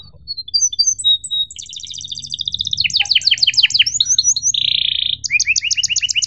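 Canary singing a fast, varied run of high whistles, rapid chirping trills and one buzzy rolled note, phrase after phrase without a pause.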